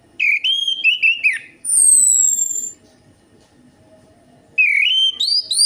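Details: Orange-headed thrush singing as a lure: a quick run of warbled, wavering whistles, a long high falling note, silence, then another rising, twisting phrase.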